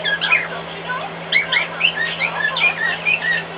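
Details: Pet cockatiel indoors, singing louder than usual in response to a hairdryer running in another room: a steady stream of short whistled chirps and slurred notes over a constant low electrical hum.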